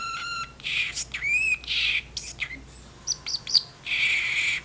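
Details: Chatty caged parrotlet mimicking words indoors while dishes are washed; strained harmonic whistle, then raspy high bursts, a rising slurred note, and sharp chips, ending in a sustained hiss-like squawk.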